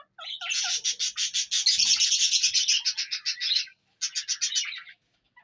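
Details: Indian ringneck parrot from Punjab, Pakistan, giving a long series of harsh, screechy notes, about five per second, for over three seconds, then a short pause and another shorter burst.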